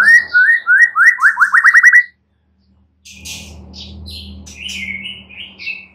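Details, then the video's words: White-rumped shama, played to coax a silent bird into answering and singing vigorously: a run of about a dozen rising whistled notes that quicken over two seconds, a brief silence, then scattered sharp chirps over a steady low hum. "Murai batu BISU diJAMIN NYAUT GACOR dan FIGHTER"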